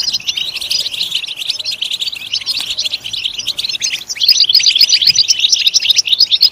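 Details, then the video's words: Stimulation song of a European goldfinch: quick twittering that turns louder and more liquid after a short dip, ending in bright repeated tinkling notes. "Comprehensive guide to stimulating and singing the goldfinch"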